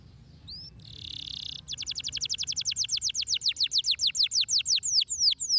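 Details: Canary song played to stimulate canaries to sing: a brief whistle and buzzy rasp, then a long accelerating-then-slowing series of bright downward-sweeping notes, growing louder, about four per second near the end.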